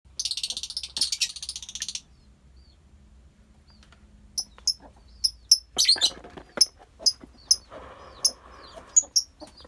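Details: Colony of lovebirds, offered as soothing listening: two seconds of dense shrill chattering, then a pause and a run of sharp, high chirps repeated about every half second, with a low steady hum beneath.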